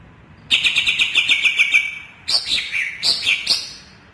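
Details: Greater green leafbird, local name cucak ijo Kalimantan: a rapid buzzy trill for over a second, then varied, swooping whistled notes rising and falling in pitch.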